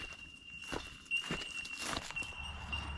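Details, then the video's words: In Australia, bell miners along a wet, swampy river road give a steady ringing chorus of high, pure bell-like tinks, with louder notes standing out, over crunching footsteps. "Bell Miner Bird Calls"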